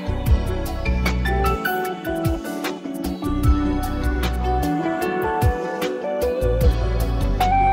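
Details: Instrumental music with plucked notes over a low bass line, with no animal sounds.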